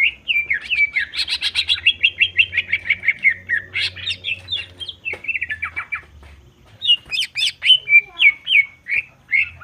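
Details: Caged greater green leafbird delivering a dense provoking song: fast rattling chatter of harsh and whistled notes at high pitch, a brief pause, then sharp whistles and clicks repeated rapidly; faint low hum throughout.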